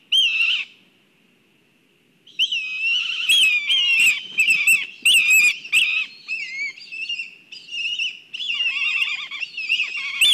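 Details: Black kites at a nest in Kurzeme, Latvia, agitated and calling. A short quavering call opens, then after a pause comes a burst of shrill, whinnying, wavering calls with harsh overlapping notes, some descending into lower trills.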